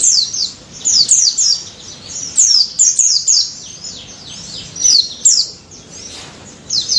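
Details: Daput white-eye singing energetically in 'ngalas' style, used as a lure to get silent white-eyes singing: rapid bursts of thin, very high chirps and downslurred twitters, in phrases of about a second separated by short pauses.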